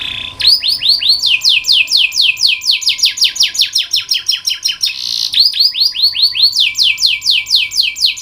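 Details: Canary singing for canary training: dense, loud rolling song of fast descending whistled notes in repeated runs, with a harsh buzzy phrase around the middle, then more quick notes; faint continuous hum.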